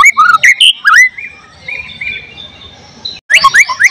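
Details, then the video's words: Murai batu, the white-rumped shama, in full song, filled with mimicked cililin, cucak jenggot, canary and lovebird phrases, 12 July 2023: sharp looping whistles, a drawn-out thin note, a pause, then a burst of quick upslurred whistles. "volume siulan murai batu gacor tembus materi isian"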